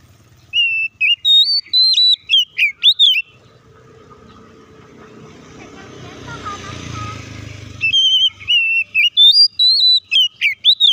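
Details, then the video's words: Oriental magpie-robin song meant to provoke other magpie-robins into singing: rapid bursts of high whistled and chattering notes at the start and end. A passing motor vehicle and faint voices fill the quieter middle. "PANCINGAN BURUNG KACER AGAR IKUT BUNYI DAN BUKA MATERI"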